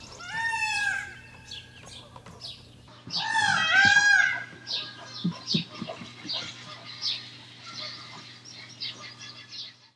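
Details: Indian peafowl: two loud, harsh, wailing peacock calls, each about a second long, bending downward and car-alarm-like, loud enough to wake people, then softer scattered chatter, including a dog whining, over a steady low hum.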